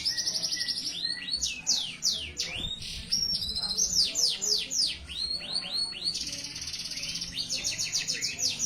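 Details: Persistent singing from a canary: fast series of sharp high downward-sweeping whistles, then long buzzy rolling trills and more slurred notes, continuous and energetic, over a faint low background hum.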